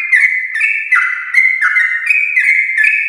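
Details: Sooty-headed bulbul, morning 'ropel' singing intended to stimulate other bulbuls: about seven quick, mellow, slurred notes, each dipping and rising, delivered in a steady, busy stream.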